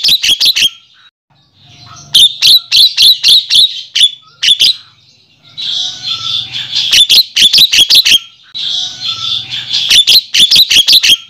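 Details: Javan myna, wild, call played to summon males: clusters of crisp staccato clicks follow grating, hissy chatter, the same loud sequence recurring several times through the clip.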